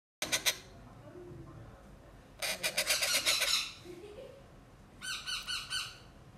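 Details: Young pet parrot, a baby kept at home, making sounds like a drill machine: three bursts of rapid buzzy rattling pulses, the middle one longest, separated by quiet pauses.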